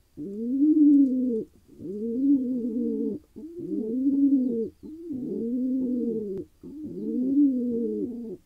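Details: Wild male pigeon in Israel calling after finally finding a mate: five low, drawn-out throaty coos, each about a second long, separated by short pauses, in a quiet enclosed space.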